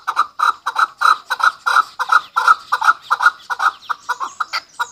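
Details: Chukar partridge, a hunter chakor, calling in a rapid run of harsh clucking chuk notes, roughly three a second, many in close pairs, kept up evenly for five seconds with no other sounds.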